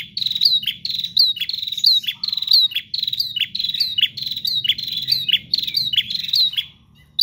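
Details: Nonstop song from a bar-winged prinia: evenly driven high chips and downslurs for several seconds, one short low buzz near the start of the run, faint low rumble underneath, ending in near quiet.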